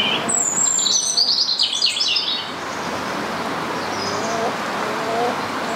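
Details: Free-flying rose-ringed parakeet in a local park in Blackpool, seen there for two to three months, giving a rapid burst of harsh, high screeching calls for about two seconds, then quieter distant squawks over steady outdoor background noise.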